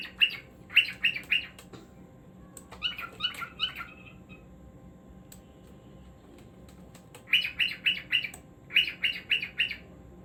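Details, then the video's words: Cockatiel song given as clustered bursts of rapid harsh chirps, four or five notes per group, with pauses between groups and a longer silent gap mid-clip before two final bursts. "Cockatiel Singing Moments"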